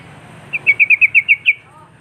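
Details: Sooty-headed bulbul singing to challenge rival birds: a rapid run of about eight clear, chirpy whistled notes, each slightly rising, delivered in under a second over faint low background rumble.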